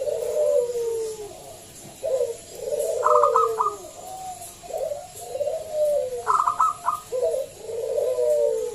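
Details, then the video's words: Loud local zebra dove lure call: mellow descending coos alternate with two sharp bursts of rapid clipped notes. A steady hiss sits in the background. "Pancingan Perkutut lokal SUARA BESAR"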